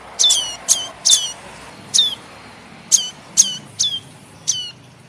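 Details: A young prenjak kepala merah tailorbird begs with eight high, downward-slurred chirps, the first three quickly clustered and then more spaced. The recording is used as a lure for trapping birds.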